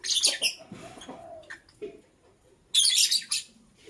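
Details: Lovebird chirping in the morning: a burst of harsh, high, scratchy chirps at the start, a quiet stretch with faint lower notes, then another loud cluster of shrill chirps near the end.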